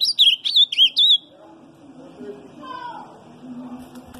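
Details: Ultramarine grosbeak singing a soft, quiet song, a quick burst of five or six bright, slurred whistled notes, then falls quiet under a faint, low background murmur.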